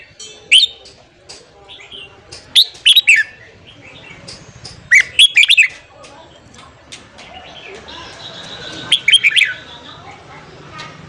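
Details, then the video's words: Red-whiskered bulbul morning song, played to train and excite newly caught bulbuls: repeated short bursts of bright, jerky whistled notes spread through the stretch, separated by quieter pauses with faint background noise. "luyện giọng chào mào hót sáng kích lửa cho chào mào bổi"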